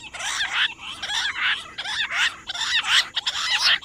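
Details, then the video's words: Rock bush quail (jungle battair), recorded on 18 July, giving nonstop calls: a dense run of harsh, buzzy bursts with rising and falling sweeps, pulsing roughly every three quarters of a second, apparently several birds overlapping. "Nonstop Voice Perdicula argoondah Rock bush quail jungle battair quail hunting quail sound"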